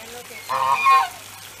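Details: An African goose, a domestic breed descended from the wild swan goose (Anser cygnoides), honks from a pond: one loud, harsh, nasal honk of about half a second, slightly rising before breaking off, over a low steady hum.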